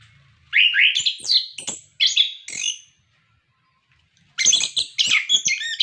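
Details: Orange-headed thrush song used to prompt captive birds to sing: rich slurred whistles in short phrases, over a second of silence, then a dense, busy burst of high notes.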